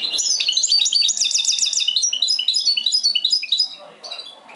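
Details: European goldfinch mixed song: rapid, liquid twittering with a quick series of repeated bright notes near the start, followed by tinkling chirps and short trills in a continuous flowing phrase.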